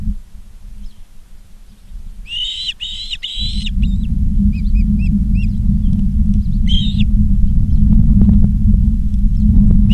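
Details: Ospreys at Charlo, Montana, on a live camera on 19 August 2023 at 16:05, give three rapid loud whistled chirps, then faint soft notes and one more chirp, as a low rumbling noise grows stronger.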